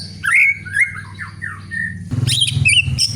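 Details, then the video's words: Greater green leafbird (cucak ijo) from Indonesia singing a vigorous song: slurred whistled notes sliding up and down for two seconds, then a burst of harsh, scratchy, chattering phrases, over a steady low hum. "Cucak Ijo Kicauan Gacor Warna Memukau"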